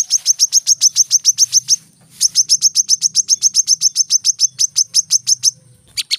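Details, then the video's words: Dense 'tembakan rapat' song of the brown-throated sunbird, used as training audio for caged birds. Two long runs of rapid high chips, roughly four per second, split by a brief pause and ending with a sharp double note. "kolibri kelapa | manggar | wiceh | masteran temabakan rapat"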